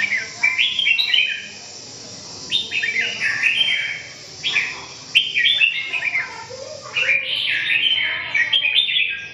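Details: Red-whiskered bulbul singing in bursts of bright, warbled phrases, each burst lasting about a second with short quiet gaps between, the notes sliding up and down in a mid-to-high register.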